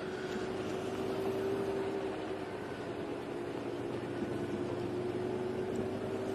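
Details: A constant motor whine and rumbling vehicle noise continue unbroken, with no animal calls present.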